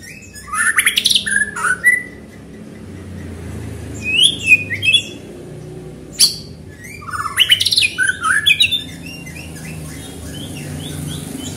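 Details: White-rumped shama singing quickly to draw other shamas into song: clusters of clear whistles, rising and falling slurred notes and sharp high clicks in three bursts with short pauses, low steady hum beneath.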